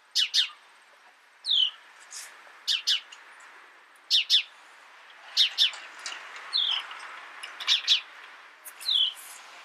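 House Sparrow giving loud, bright chirps, often doubled, in bursts about every second or so, with a few softer notes between against a quiet background.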